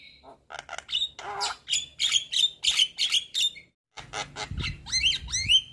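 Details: Lure chatter of a white-eyed Javan myna bobbing its head: dense, honking, squawky bursts in quick succession with high whistled slurs, a brief pause, then rising whistles over a low rumble.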